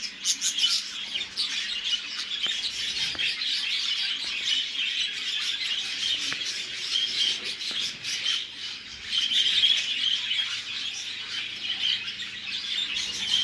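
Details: Show budgerigars at a breeder in Russia chatter together in a steady stream of high, scratchy warbles and quick chirps.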